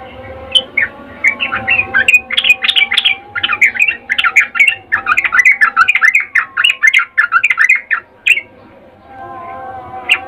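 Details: Sooty-headed bulbul, a female calling a male with an excited mating call: a fast run of short, chattering, squeaky notes that rise and fall over several seconds, with a steady faint hum beneath.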